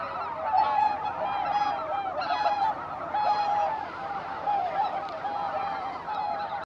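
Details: Greater white-fronted geese coming in to roost at Izunuma, Japan; a thick wall of overlapping, slightly laughing honks from a big flock, with a few louder bright yelps standing out roughly every second.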